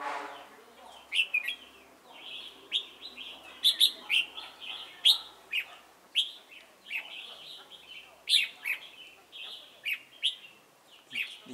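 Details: Decoy red-whiskered bulbul singing during trapping at Chùa Hương, 28 November 2017. Continuous animated song of sharp chirps and short warbles, loud accented notes every second or so.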